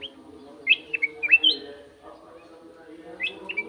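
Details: Sooty-headed bulbul phrase of several quick, liquid, up-and-down whistles, a short pause, then a brief two-note reprise, with a continuous low hum throughout.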